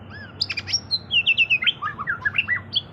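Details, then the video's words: Energetic White-rumped shama song played to coax other birds into singing, with bright whistles, quick descending slurs and a run of evenly spaced chirped notes, while a faint low hum runs underneath. "Pancingan murai batu gacor 🔥 Burung auto bunyi"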